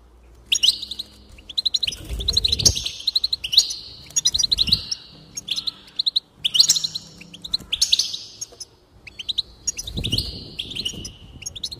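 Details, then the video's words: Goldfinch song for encouraging a bird to sing, a long run of rapid twittering and buzzy trills in repeated bursts, with some faint low background rumbles. "increase the enthusiasm of the goldfinch and encourage it to song"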